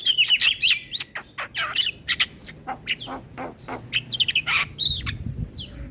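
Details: Javan myna song used as a lure for mynas and starlings: dense fast chatter of squeaky whistles and scratchy notes, slowing into spaced clear whistles toward the close.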